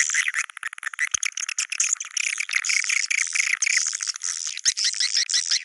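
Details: Swiftlets in the Goa China call style, a dense high twittering chorus of rapid chirps, continuous and overlapping throughout, with a few sharp clicks.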